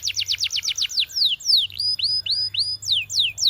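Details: For training canaries, a Belgian canary delivers a quick series of repeated falling notes, followed by longer, slower whistled down-slurs and rising-then-falling notes.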